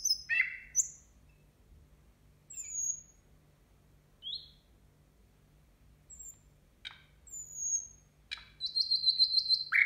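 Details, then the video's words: New Year nightingale song with varied, well-spaced notes: a bright opening burst, thin high whistles and upslurs separated by pauses, a few sharp clicks, then a rapid buzzy trill to close, with steady low hum behind. "Соловей поёт на новый год"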